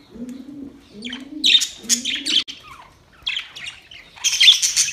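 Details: Budgerigars talking to each other with quick, high, buzzy chirps in short clusters, after a few low, rounded coos at the start.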